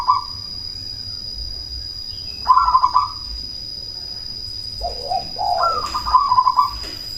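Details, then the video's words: Loud-voiced cemani zebra dove lure for provoking other doves to respond: spaced phrases of quick trilled coos, one series dipping low before climbing into a fast stuttering run, with a continuous faint high-pitched tone. "Perkutut cemani gacor suara BESAR pancingan ampuh bikin lawan langsung nyaut"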